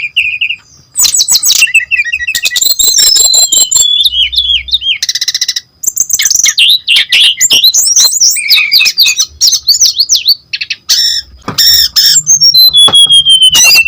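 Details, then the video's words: Lure song of a brown-chested jungle flycatcher in full, lively voice: a long, dense run of high chirps, slurred whistles and fast twittering trills that change constantly, broken by a few short gaps. "DENGAR SUARA SRDC GACOR INI PANCINGAN JITU MASTERAN SRDC BAHAN"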